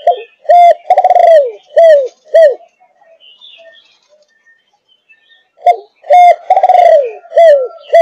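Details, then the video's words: Malaysian-line spotted dove, 5.5 months old, in the thúc gù cooing style: mid-pitched rolling coos in quick bursts of four or five notes, one longer drawn-out coo at the centre, then a silent gap before the next burst. "Cu Gáy Malaysia Dòng Thúc Gù 5,5 Tháng Tuổi"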